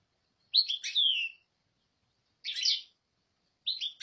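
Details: European goldfinch singing three short bursts of bright, tinkling twitter with liquid, slurred high notes, separated by silent pauses.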